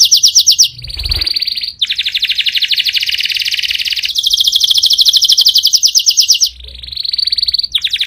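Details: Powerful canary song in rapid, buzzy rolling trills. The tours change pitch and speed, with brief breaks between phrases.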